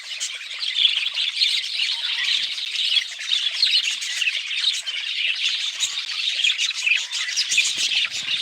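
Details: Budgerigars calling together in a dense, continuous flock chatter of bright, high warbling chirps and squawks with no pause, layered from many overlapping voices.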